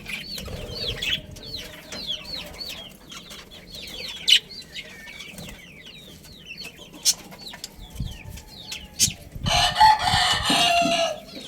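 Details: Budgerigars in a breeding colony chatter together: rapid warbled chirps rising and falling in quick succession, with a loud burst of harsh, noisy squawking near the end and low rumbling in the background.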